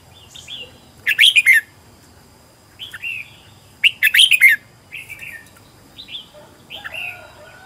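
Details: Red-whiskered bulbul decoy, trained at home in Vietnam for competition-style singing and luring wild birds, alternating rapid chattering bursts with shorter downslurred whistles every second or so.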